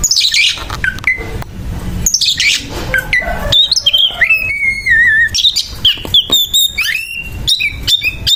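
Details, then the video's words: Harsh fighting song of an Oriental magpie-robin (kacer): loud, hoarse rasping bursts mixed with clear wavering whistles and abrupt chips, a dense, restless stream with barely any pause. "SUARA KACER TARUNG KASAR KASAR LAWAN SAMPAI CABUL"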